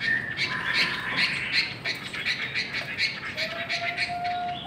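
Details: Chinese hwamei singing in a singing contest: loud, varied, whistled phrases around a high pitch, repeated in quick bursts, with a lower sliding whistle near the end and steady background hiss.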